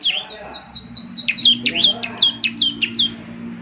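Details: Bar-winged Prinia (ciblek, 'semi' type) in energetic 'gacor' song, meant for morning playback to prompt other birds to answer: a rapid run of about fourteen high, clipped, downslurred notes, some with a sharp whistled tail, over a faint low hum.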